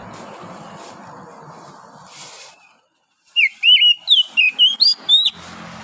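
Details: Wild oriental magpie-robin in forest at morning, after a soft hum and brief silence, delivering a lively string of about eight clear whistled notes, rising, falling and looping.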